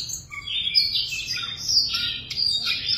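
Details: Caged Siberian rubythroat singing a high, scratchy warble of varied chirps and short whistled notes, sweeping and jumbled, with a faint low hum beneath.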